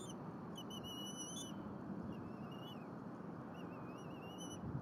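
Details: Young bald eagle at a Berry College nest in Rome, Georgia, April 2022, mantling a squirrel brought by the male. Nest-cam recording. Wavering high whistles come in a short burst, then a long trilled note, over constant background hiss.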